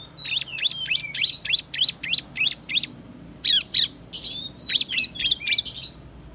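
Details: Ciblek, or bar-winged prinia, in sustained ngebren song: a long, rapid string of about twenty high, sharp chirps, some slurred upward and downward, in lively bursts with brief pauses between.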